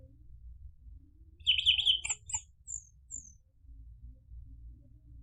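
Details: Orange-headed thrush song intended to get caged birds answering: a quick burst of rich chattering high notes followed by several thin, very high, downslurred whistles, against a quiet low background hum.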